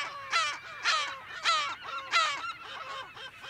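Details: California gulls calling in a breeding colony, heard from close to medium range in a mono recording: loud, harsh, harmonic yelping calls about every 0.6 seconds, each with a dropping tail, over a constant background of other gulls calling.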